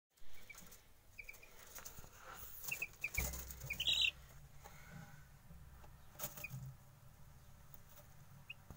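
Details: Hungry chicken chick calling with a few short, high, thin peeps clustered near the middle, some in quick pairs, over steady low background rumble and scattered clicks and knocks.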